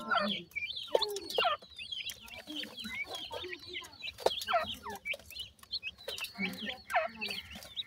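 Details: Chicks of the grey francolin being fed termites; clear high peeps in clusters, some with downward hooks, interspersed with soft pauses and quiet low background sound.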